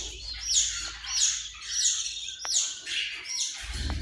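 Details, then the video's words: Australian parrot repeating short, buzzy, down-slurred chirps roughly every two-thirds of a second, fairly even in rhythm; a sharp click midway and a low rumble rising at the end. "Australian parrot"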